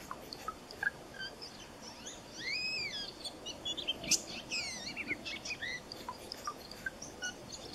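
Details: A Blue Jay gives its soft whisper song, head extended slightly forward and moving side to side: quiet, varied arched and slurred notes in a loose jumble over low hiss. This is a courtship song, mostly by males.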